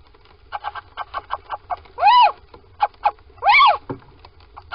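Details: Little owls entering a nest box one February morning in Sprundel, 2020: two loud arched, nasal calls about a second and a half apart, set among quick soft tapping pulses and a low background rumble.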